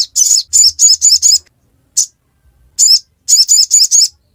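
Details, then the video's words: Ngiriwek song of a ruby-cheeked sunbird: a quick run of five shrill high chirps, a lone note, then another run of five, with quiet gaps between. "Kicauan ngiriwek pastikan sogok ontong bahanmu ikut bunyi"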